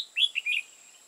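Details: Single short phrase from a decoy red-whiskered bulbul used for trapping in Hoa Binh, Vietnam: a high note, then two or three fast slurred whistles, bright and liquid.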